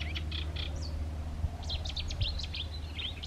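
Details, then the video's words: Eurasian reed warbler singing while hidden in reeds: a rhythmic string of scratchy, repeated notes in quick bursts, over a steady low rumble of background noise. "Reed Warbler Song"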